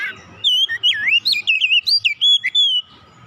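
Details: Oriental magpie-robin singing a rapid run of wavering, swooping whistles over faint low background noise.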